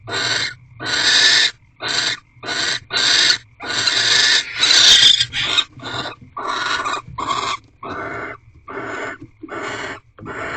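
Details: Barn owl mating ritual in an owl box at night, 3 March 2023 around 8:45 pm; a rapid run of raspy, breathy hisses and screeches of varying length, some short and clipped, a few longer, with brief gaps between.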